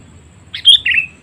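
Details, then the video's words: Quick lure call of a sooty-headed bulbul meant to attract wild birds: a clipped chirp then a bright note sliding down into a burry trailing phrase, low hum underneath. "Suara Panggilan Kutilang Memanggil Burung Liar ‼️ Pikat Kutilang Cengkram"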